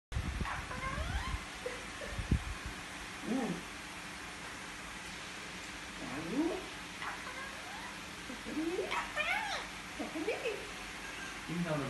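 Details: Pet Indian ringneck parakeets kept indoors, giving a series of short squawks and chattering notes, some rising and falling, scattered across the recording, with faint room noise.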